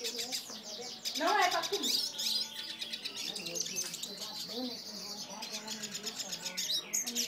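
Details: Male hooded siskin described as fiery and very excited, singing a fast, high twittering warble of chirps and trills with a loud burst near the second second, while a person talks quietly underneath.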